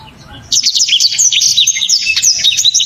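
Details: Blacktrod songbird kept for its loud, sharp, dense singing, bursting after half a second into a nonstop torrent of shrill high whistled notes, quick slurs and chattering trills.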